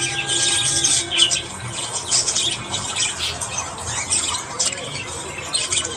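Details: Budgerigars chattering in the morning: thick high warbling with scratchy squawks, a few clear whistled notes near the start, and soft low background hum.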